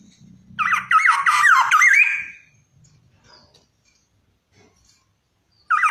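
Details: Black-naped oriole singing indoors: one phrase of loud, fluty, looping whistles rolling up and down, lasting about a second and a half, then quiet until a second phrase begins at the end.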